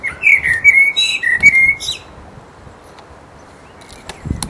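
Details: Mating song of a resident blackbird in full voice: a rich run of fluted, whistled notes sliding between pitches, topped by thin high twitters, lasting about two seconds before fading into quiet background hiss.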